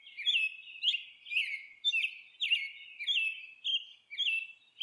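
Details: Monk parakeet by its nest repeating scratchy, falling squawk notes at a steady pace, close to two each second, in a continuous chattering sequence.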